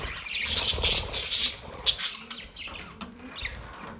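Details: Australian parrots on October 10, 2023, with a loud cluster of harsh high chirps early on, then sparser scratchy notes and a few softer rising calls fading toward the end.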